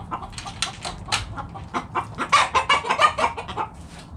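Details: Backyard flock of chickens foraging in the morning, giving a rapid run of short, throaty clucks about three per second, building louder in the second half, with faint scratching underneath.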